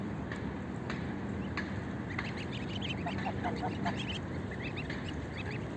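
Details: Greylag geese, a family feeding on oatmeal within a flock: brief harsh honks early on, then a rapid cluster of overlapping calls from several birds midway, against constant low background noise.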